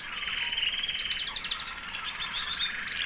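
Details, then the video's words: White American Singer canary hen, proven in 2009, singing after her molt; a high, sweet warbling song with quick tinkling chirps run together in a steady, fast stream. "Singing canary FEMALE - Proven 2009 American Singer white hen"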